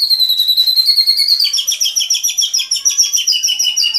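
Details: White-rumped shama singing a long high whistle that breaks into a rapid, steady trill of bright repeated notes, about three to four per second.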